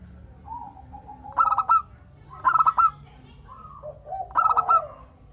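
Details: Local Indonesian zebra dove singing eagerly to provoke answering calls: soft level introductory coos lead into three bursts of rapid, stuttering, pulsed cooing about one second apart, ending in lower mellow coos.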